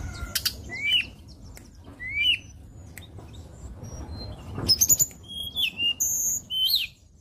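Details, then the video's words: White-browed shortwing (tledekan gunung) song from Indonesia, used as a lure for training songbirds: short rising whistled slurs every second or so, then a quick run of bright sliding whistles, over steady low background hiss and rumble. "PANCINGAN TLEDEKAN GUNUNG GACOR,BESETAN KEREN ,SUARA PLONG ,NYENTAK FIGHTER"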